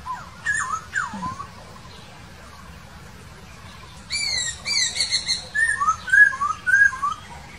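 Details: Laughingthrush in the wild: a few downward whistles, a quiet gap, then a burst of harsh ringing notes followed by a rapid run of short rising-and-falling whistles.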